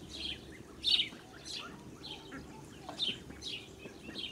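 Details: Blue Muscovy duck (Cairina moschata) ducklings with their mother on a farm, 8 July 2017, give high, thin peeps, several overlapping, about two per second, over a low background rumble.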